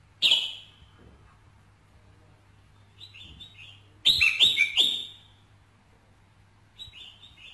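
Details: Red-whiskered bulbul song used to stir a male: a strong ringing note, soft rippling chirps, then a rapid cluster of loud, harsh bursts and more gentle trilled phrases.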